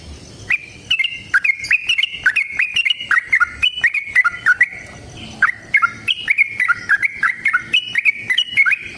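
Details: Long, rapid fighting song of a yellow-vented bulbul, played as a lure to get birds singing back: a steady stream of short, bubbly whistled phrases with stepped ups and downs and a brief pause midway.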